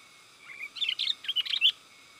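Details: Sooty-headed bulbul pikat call for luring wild birds and tutoring caged ones: a soft low note, then a quick jumbled phrase of bubbly chirps that ends on one bright whistled note, with faint hum behind.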